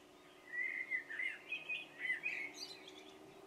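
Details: A common blackbird (Turdus merula) sings at dusk, a mellow fluted warble of rich rising and falling notes ending in a thin high twitter, over a faint low hum.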